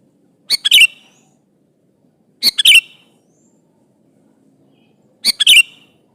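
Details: Sooty-headed bulbul, a prolific singer calling an opponent, repeats a short three-note chirping phrase about every two and a half seconds, three times, with a quiet background.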